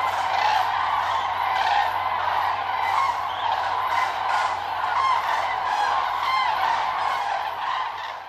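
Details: A loud chorus of common cranes at the Milicz Ponds, Poland, where the birds gather in September 2023. Countless ringing, trumpet-like calls overlap without pause, with some sharper bugling notes cutting through.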